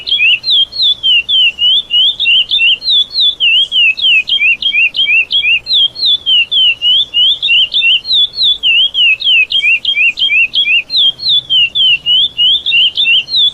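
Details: Lesser seed finch performing the classic praia song used to teach young birds and improve adult song: clear whistled phrases, each rising and falling, repeated steadily about three times a second, with faint background hiss.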